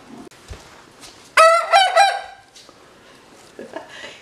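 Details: An adolescent Buckeye rooster, coaxed to crow in mid-morning, gives a short, hoarse crow of about a second, with several stacked harmonic notes breaking and wavering, and quiet room noise around it.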